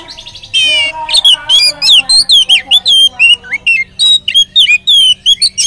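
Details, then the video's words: Lure song of an Oriental magpie-robin, meant to make other magpie-robins sing: opens with a buzzy rattling trill, then a fast sequence of clear whistles, swooping slurs and chattering notes that continues without pause. "kacer gacor materi mewah pancingan kacer ikut gacor"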